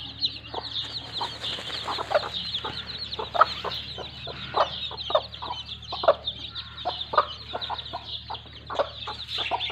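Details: A broody hen clucks softly and steadily while her chicks play in the mud, their continuous shrill peeping forming a high layer over the clucks; a faint low hum runs throughout.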